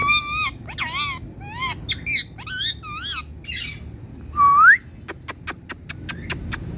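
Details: Indian parrot calling with a rapid series of harsh, wavering squawks and warbles, then one loud upward-sliding whistle, ending with a run of sharp clicking taps.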